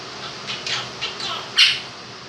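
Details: Two-year-old pet male Quaker parrot mimicking the children's song 'If You're Happy and You Know It' indoors. Soft, blurred syllables lead up to one loud, sharp squawky note near the end, all against a fan's constant whir.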